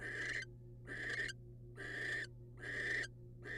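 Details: Wild barn owls, male delivering a rodent to his mate: four long rasping hisses, each about half a second, spaced evenly with silent gaps, steady background hum.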